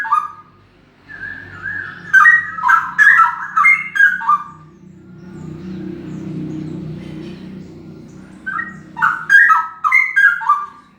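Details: Loud male straw-headed bulbul pouring out bubbling, gurgling whistled phrases in two bursts, separated by several seconds of low background rumble.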